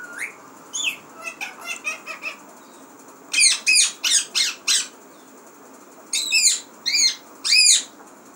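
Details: Pet parrot, described as talking, gives a rising whine and a string of quick chattering notes, then loud evenly spaced harsh squawks in two rhythmic runs of four or five.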